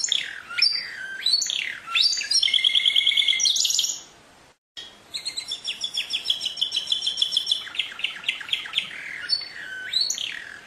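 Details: Canary song with swooping whistled slides, a rapid rattling trill, a brief pause, then a long series of quick repeated chirps and a rising sweep.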